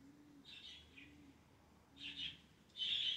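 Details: Neighbourhood jackdaws, called each morning to be fed breakfast, give short, harsh, noisy calls in four quick bursts over three seconds, the last the loudest, above a faint low steady tone.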